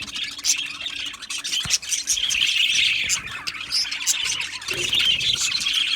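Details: Australian budgies in an aviary colony, a dense overlapping chorus of high chirps, squeaks and warbling chatter running without pause, with sharper tweets standing out now and then.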